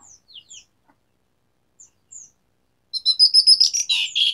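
An Asian pied starling gives a few thin, sliding chirps, then bursts into a loud, dense run of varied whistles and buzzy, chattering notes.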